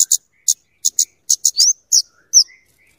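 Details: Kemade, the scarlet-headed flowerpecker, with spaced high clicks, then sharp rising swept notes, and soft lower whistles near the end, used for luring and tutoring birds.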